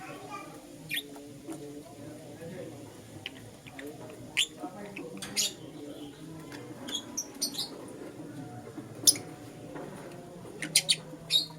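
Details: Lutino lovebird chirping in the morning: scattered short, sharp, high chirps and clicks across the whole stretch, irregular and some in quick pairs, over a steady low hum.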